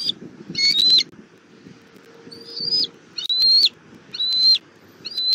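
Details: Bald eagle family meeting on the nest tree, recorded by a Southwest Florida eagle cam in April 2024: a series of six high whistled notes, some slurred upward, at uneven intervals over low background rumble.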